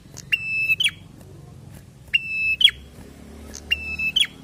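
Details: Prinia in lively 'gacor fighter' singing: three buzzy, steady-pitched notes, each finishing with a sharp dropping flick, with brief high chips before them and a quiet low background.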